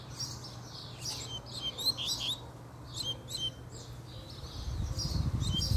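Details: Double-collared seedeater, fiery and singing a puxada: spaced clusters of high slurred and buzzy notes repeat roughly each second, with a low rumbling noise rising toward the end.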